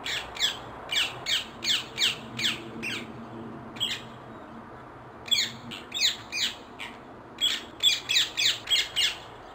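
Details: Bursts of quick, grating shrieks from a wild rose-ringed parakeet, three runs of rapid notes separated by pauses of one to two seconds, low background hum.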